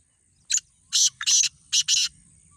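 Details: Black francolin in a calling contest delivers a grating phrase: a short note, a long rasp, a quick stutter into another rasp, then a final pair, over faint low hum.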